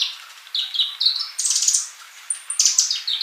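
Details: Sunbird in full song: short warbled notes that step up and down, then a buzzy high burst and a sustained piercing whistle, followed by rapid chirps.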